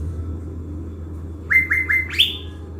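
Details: Caged blue-winged leafbird decoy from Bình Thuận, Vietnam, kept to lure wild birds. It gives three quick rising whistles that level off, then one higher upswept note, over a low steady hum.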